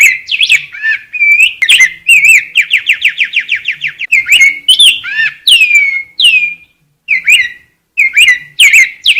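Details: Rose-breasted grosbeak singing varied whistled phrases that include a fast, even series of about a dozen repeated notes, followed by sweet slurred warbles and short pauses.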